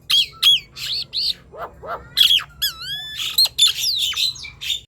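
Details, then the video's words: Nias hill myna singing, used to lure silent Nias hill mynas into song: loud clear whistles and rising slurred notes mixed with harsh squawks, in rapid varied bursts. "Ocehan Jalak Nias Gacor | Silahkan di coba untuk pancingan bunyi jalak nias yang diam"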